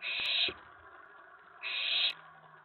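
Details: Owlet inside a nest box late evening, May 19 2017, excited as an owl reaches the tray; two harsh half-second hisses separated by a pause of about a second.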